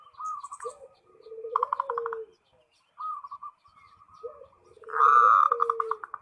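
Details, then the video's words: A gacor (actively singing) zebra dove challenging a rival with its call. Two buzzy pulsed rolls are each followed by low, downward-sliding coos, with quieter rolling notes between them. "SUARA PERKUTUT MEMANGGIL LAWAN"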